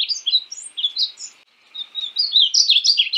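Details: {'text': 'Painted bunting (Passerina ciris) delivering a high, sweet warble, a short silent gap, then a faster, louder run of bright twittering notes.'}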